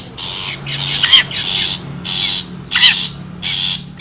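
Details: Wild long-tailed shrike lure call: broad, grating rasps of about half a second each, some with a quick bent tonal note, repeated irregularly with a steady low hum behind.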